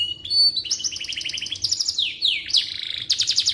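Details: Canary singing, meant for teaching magpie robins: a steady high tone opens, then fast rattling trills, several sharp descending sweeps and a bright buzzy burst, with a faint low hum underneath.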